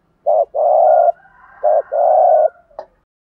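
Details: Spotted dove coo played to prompt decoy doves to answer; a short note followed by a long drawn coo, given twice in quick succession, then a faint click, clean background.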